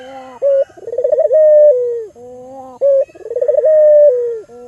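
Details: Calls of an albino Barbary dove used as a lure for other doves: low hum, a short note, a bubbling pulsed trill and a long sustained coo falling at its end, the phrase repeated twice.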